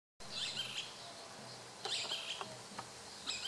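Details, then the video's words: Boat-billed flycatcher (Megarynchus pitangua) calling, harsh, high chattering bursts in three short spells over a steady background hiss. "Canto do pássaro Neinei"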